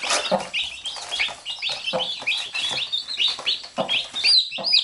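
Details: Chicks with their mother hen, biting her as she picks at them: busy, high-pitched chick peeping, some notes sliding upward, with occasional soft low clucks from the hen.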